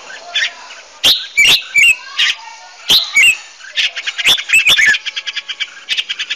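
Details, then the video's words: Red-whiskered bulbuls singing competitively, used as decoy calls to train birds: loud sharp whistled notes and slurred phrases, closing with a fast series of short repeated chips. "Chào mào hót đấu làm những tiếng chim mồi hay nhất"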